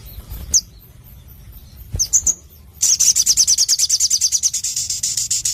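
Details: Crimson sunbird, a caged songbird kept for its song, giving a few high chips and then a long, rapid, even trill of high ticking notes lasting nearly three seconds.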